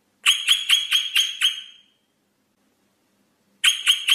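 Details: Rosella song of six rapid, clear whistled notes rising in a steady string, a pause of nearly two seconds, then a new run of whistles begins.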